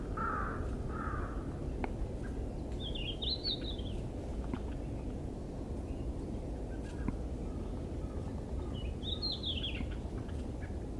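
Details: Red-flanked bluetail singing: two short, bright warbled phrases that rise and fall, about six seconds apart, over a constant heavy low rumble, with a brief lower note near the start.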